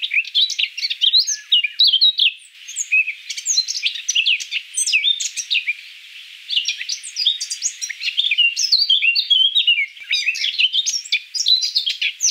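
Eurasian Blackcap singing a fast, continuous warble of bright, scratchy and fluty notes, high-pitched and tumbling without pause; no other sounds stand out.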